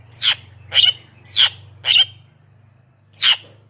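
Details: Javan myna used as a lure for wild mynas: four quick harsh, squeaky notes in a row, a pause, then one more, over a steady low hum.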